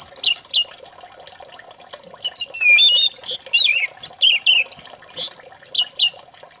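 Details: Orange-headed thrush singing, used as a lure to prompt other thrushes to sing: quick bursts of rich, varied whistles and twisting warbled phrases, high and clear, over a faint steady hum.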